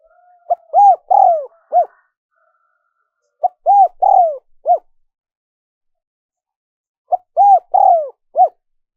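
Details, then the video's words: Repeated cooing of a spotted dove, used to lure wild doves. Three matching low phrases about three seconds apart, each a quick note, an arched coo, a drawn-out falling coo and a final short coo. Background silent. "Tiếng chim cu gáy mp3 dùng kích bổi hiệu quả nhất"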